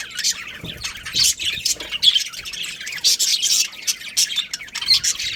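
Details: Budgies from a breeding pair of Australian parrots giving a busy warble of scratchy chirps, clicks and thin squeaks, rising and falling in loudness with irregular bursts throughout.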